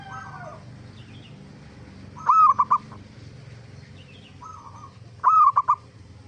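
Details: Zebra dove (perkutut) song as a lure for answering zebra doves: soft distant coos between two louder phrases, each a mellow coo followed by three or four quick staccato notes, about three seconds apart.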